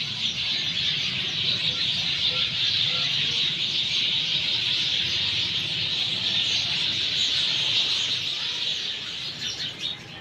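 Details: Flock of sparrows calling after monsoon rain in Sanghar, Sindh: dense, continuous high chirping from many birds at once, overlapping without pause, steady throughout and easing slightly near the end, with a faint low rumble beneath.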